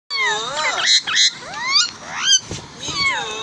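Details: Parrots talking to each other: loud, harmonic, speech-like calls with sweeping rising and falling tones, several phrases in quick succession.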